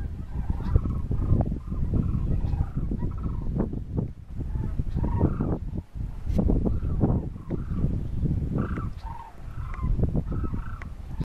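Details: Cranes flying overhead in a V formation call with many overlapping rolling, bugling notes repeated throughout, under heavy low rumbling wind noise.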